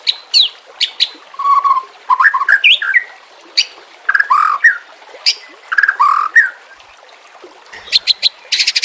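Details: White-rumped shama training recording with a water background: lower mellow whistles and warbles in short phrases, broken by sharp high clicks and pauses, with trickling water throughout.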